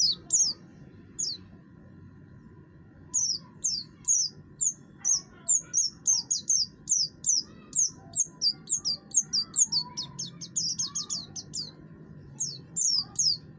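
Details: Singing buxtoni oriental white-eye with a rough voice, kept to prompt other birds to sing; after a quiet start, quick high down-slurred chips build into a dense steady stream, faint hum below.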